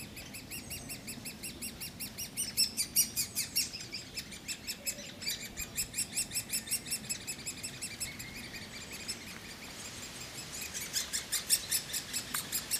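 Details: Woodpecker nestlings begging while male and female adults bring food: rapid, steady trains of scratchy high-pitched notes, swelling and fading in waves, sometimes several voices overlapping.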